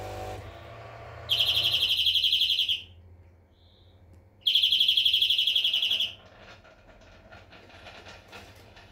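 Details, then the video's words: European greenfinch giving two long, rapid trills of identical ringing notes about four per second apart in rhythm, with a soft faint note between them and crackling noise afterward. "Flurya Kuşu ötümü"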